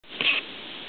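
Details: At Blacktoft Sands, a Dunlin gives a single short, harsh, rasping note, high and buzzy, lasting a fraction of a second over steady background hiss.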